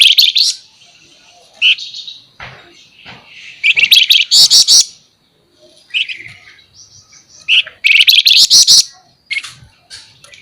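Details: Flamboyan bird, a caged songbird, in a lively full song of sharp 'nembak nyerecet' bursts: high buzzy rapid rattles and short whistles, with loud trilled outbursts roughly every few seconds separated by brief quiet pauses.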